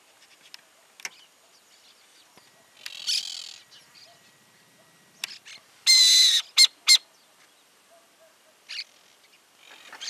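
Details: A barn owl (lechuza) in rural groves of Santa Fe, Argentina, 2023, whose calls include alerts and a hiss, gives harsh, breathy hissing screeches: one long burst and several short ones over ten seconds, with faint chirps between.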